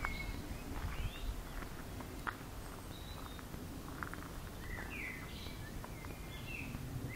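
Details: One bird singing a long session along a forest path, Zmajčkova pot, Slovenske Konjice, Slovenia: faint whistled and slurred phrases around mid-high pitch scattered through, over steady low rumble of background noise.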